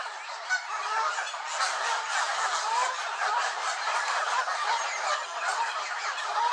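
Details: Angry Canada geese in a gaggle at Elvaston Castle, recorded 3-10-15. Many birds honk and clamour at once in dense, overlapping, harsh calls that form a continuous din.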